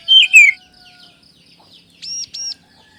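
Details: Oriental magpie-robin lure song for training caged birds to sing: a loud burst of descending, twisting whistles at the start, then near silence, then a pair of high arched notes.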